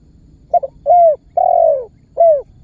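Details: Spotted dove calling as a lure for other birds: a single crisp phrase of a doubled short note, a clear coo, a long broad descending coo and a last upslurred coo, over faint low hum.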